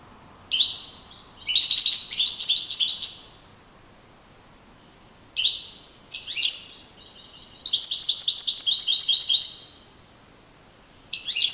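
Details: European goldfinch singing in the wild: bursts of bright, twittering, tinkling high notes lasting one to two seconds, separated by short pauses, with a quiet natural background.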